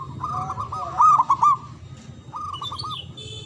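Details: Loud local Javanese zebra dove used to prompt quiet doves to sing: a run of rapid, rolling coos climaxing in a few accented notes, then another short rolled phrase, with high chirps from another bird at the end.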